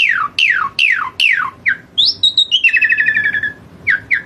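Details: Asian pied starling in full, vigorous song: loud downward-sliding whistled notes repeated in quick succession, then a higher warbled phrase and a buzzy stuttering chatter, ending with short slurred notes.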